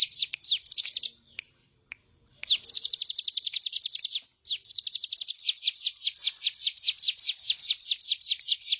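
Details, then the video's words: Bar-winged prinia singing energetically, a recording meant as a master for training cage birds to copy; rapid trains of high, thin downslurred notes, about two to three a second, broken by short pauses and brief clicks. "Ciblek gunung gacor full bren"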